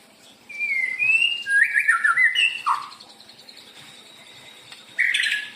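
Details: White-rumped shama singing as a lure for other birds: whistled rising and falling phrases with a downward slurred note, a quiet pause, then a short harsh burst.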